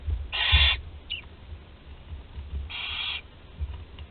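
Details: Barn owl chick, 13 days old, in a nest box watched by webcam at Théding, France, on 20 July 2020, able to swallow prey whole; two harsh, breathy hissing bursts about two seconds apart over low background rumble.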